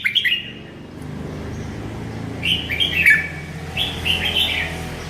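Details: Merbah lekir bulbul's sweet song, with short clusters of bright, bubbly warbled notes at intervals of one to two seconds and a faint low hum behind.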